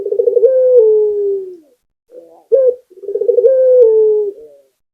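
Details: Lively song of a local Barbary dove: two rolled, bubbling phrases, each stretching into a long falling coo, separated by a short abrupt coo; clean recording with no other sounds.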